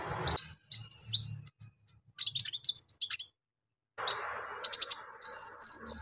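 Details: Singing brown-throated sunbird, locally kolibri ninja, giving a coarse, provocative song to stir untrained sunbirds: clusters of high, sharp chirps, a quick chattering run, a pause, then piercing rapid trills repeated in short bursts.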